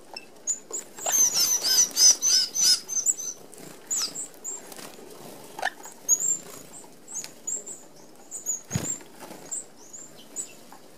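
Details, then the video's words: A whir of Red-browed finches, an Australian native, feeds as a flock at a mesh open aviary feeder. Rapid pulsing wing flutters carry high squeaky calls for the first three seconds, then lone high peeps follow with occasional clicks. "Red Browed Finches"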